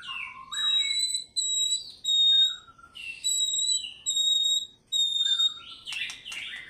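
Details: Clear, pure whistled notes from a White-rumped shama in fighter-style singing, held steady at very high pitch in repeated phrases, each joined by a lower slurred note. A scratchy burst closes the phrase.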